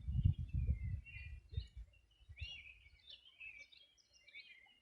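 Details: Birds singing on the bank of the Río Bueno, Región de Los Ríos, on a summer morning in 2020: high, thin chirps and short twittering phrases from several birds overlap, above a strong low rumbling background that fades after two seconds.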